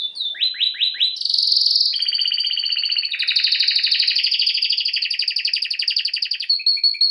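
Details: Singing canary: a few quick descending slurred notes open into a loud buzzy trill, then a long rapid rolling trill of fast repeated pulses that changes tone several times.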